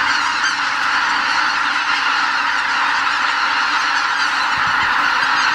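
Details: A massed predawn roost departure of wild greater white-fronted geese at Lake Miyajimanuma, Bibai, Hokkaido, during spring migration, with 79,980 birds counted. Countless honking calls merge into a constant, even, shrill wall of sound.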